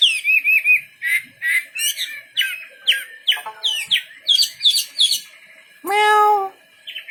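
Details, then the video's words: Wambi bird singing in quick repeated chirp phrases, roughly two per second, rising in intensity, broken by one brief harsh nasal squawk. "Burung wambi istimewa gacor full"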